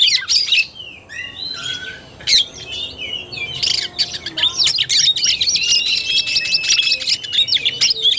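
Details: Oriental magpie-robin singing in kacer tarung (fighting) style, recorded 17 August 2021: varied whistled notes, sweeping slurs and rapid chattering bursts, with a sustained thin whistle late in the phrase.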